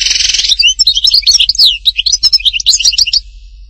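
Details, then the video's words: European goldfinch singing at Htatba, Tipaza: a loud buzzy rasp at the start gives way to a bright tumble of high, quick chirps, slurred whistles and tinkling trills. "chant chardonneret htatba tipaza حسون حطاطبة"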